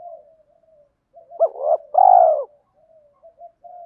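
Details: Decoy spotted dove, male and female birds, calling to provoke wild doves into fighting coos: two short rising notes, then one long, loud, drawn-out coo, with soft quiet cooing before and after.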